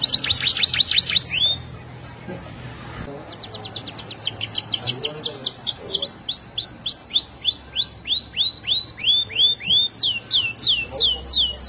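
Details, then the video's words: Canary singing as a tutor for other canaries: quick downslurred notes, a brief pause, then a long tour of repeated slurred whistles slowing to about three per second. "Buat Masteran Kenari Super Gacor"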